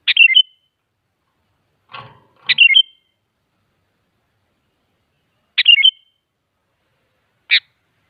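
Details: Sooty-headed bulbul song as a lure to draw answers from other bulbuls: a few short tumbling whistled phrases at uneven intervals, one preceded by a soft rustle, ending with a single sharp note.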